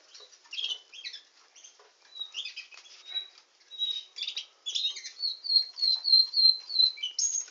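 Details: A canary sings scattered chirps and buzzy notes, then finishes with a steady rolling series of quick, clear whistled notes repeated several times a second.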